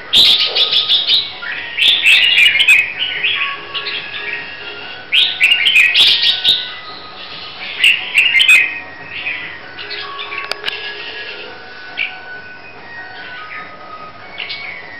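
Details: Hue-type red-whiskered bulbul from Vietnam, prepared for competition, pours out repeated bursts of rich, chattering warbled whistles, several loud phrases early then softer scattered notes later.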